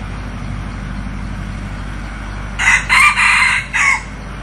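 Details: Newly acquired red junglefowl decoy, used to lure wild junglefowl, gives one loud, hoarse crow in four broken segments, the last trailing off, over a steady low hum and a hiss of insects.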